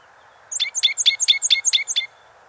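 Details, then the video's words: Canyon towhee singing a rapid, even series of about seven bright, ringing chip notes lasting about a second and a half, with faint background hiss. "O canto do Toqui pardo ( Melozone Fusca )"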